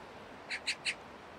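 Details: Eurasian magpie on an apartment rooftop in early November 2024, noisy in a territorial dispute with crows while holding something; three short, harsh, rasping chatter notes in rapid succession over a steady low background hum.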